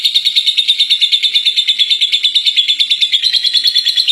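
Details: A first-place contest lovebird in full ngekek, its long chattering song: a continuous, high, rapid stream of shrill pulsed notes, very even in rhythm and loudness throughout, over a faint low background hum.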